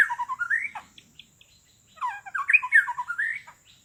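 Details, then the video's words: Forest luring with a white-rumped shama calling to wild birds: two bouts of fluid, climbing whistled phrases mixed with short buzzy notes, separated by a brief near-silent gap. "suara burung murai memanggil burung liar"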